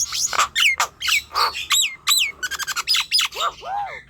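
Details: Nias hill myna singing, a recording meant to prompt young or quiet mynas to sing; sequence of piercing whistles, ringing overtone-rich notes and raspy bursts, ending with mellow arched downslurred whistles.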